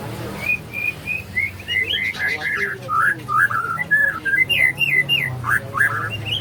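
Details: White-rumped shama singing in the morning: a steady run of clear, varied whistled phrases, short slurred notes rising and falling, delivered rapidly with almost no pause, over a faint low rumble.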